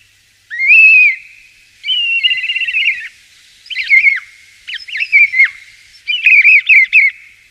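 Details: Common starling song made of buzzy, nasal warbled notes with a harsh, grating quality, given in five separate bursts with short pauses.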